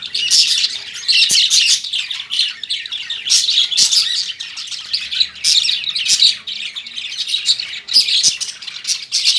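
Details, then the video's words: Lovebirds caged at home chatter nonstop with shrill, high chirps and harsh squawks, several birds calling over one another in dense overlapping bursts. "Love Birds Chirping"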